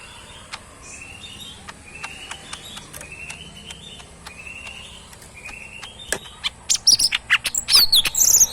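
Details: Kept cucak mini bulbul in full song: a series of soft rising notes repeated roughly every half second over background noise, building into louder, sharp chirps and high whistled slurs at the end.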